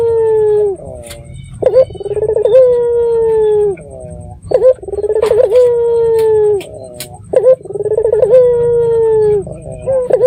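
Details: Red-eyed dove lure recording for drawing replies from other doves: rolling coos each ending in a long, slowly falling tone, repeated about every three seconds, with a faint hum in the background.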